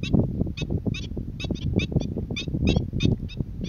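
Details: Black-winged stilt calling at Boa Vista, Cape Verde, in February 2020, giving a series of sharp, yelping notes, about three a second, over steady low wind rumble.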